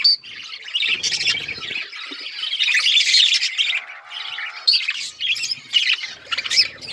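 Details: Budgerigars chatter in a lively mix of sharp chirps, scratchy warbles and short squawks, with a brief nasal buzzing note partway through.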